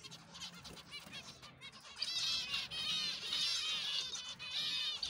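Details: Colony of finches: many birds chattering at once, a dense mass of high, thin, overlapping chirps and twitters that grows louder and busier partway through, with a faint low hum underneath.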